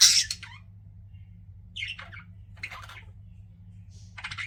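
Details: Pet budgies giving a few scattered, scratchy high chirps and squeaks separated by quiet gaps, over a steady low hum.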